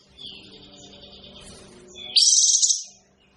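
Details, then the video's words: Kapas tembak bird, whose voice is described as unpleasant, gives a single loud rasping, buzzy burst near the end, preceded by soft, warbling chatter over a low droning hum. "suara burung kapas tembak kok gak enak ya"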